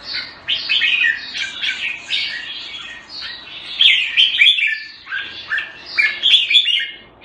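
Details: Caged red-whiskered bulbul kept Thai style in Singapore, recorded around 14 February 2018, singing bursts of bright, warbled whistled phrases that rise and fall, with brief pauses between louder flurries, inside a quiet space.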